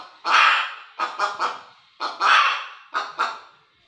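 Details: Loud hen call: a drawn-out raspy squawk, then a quick run of three short harsh notes, the pattern repeating twice within four seconds.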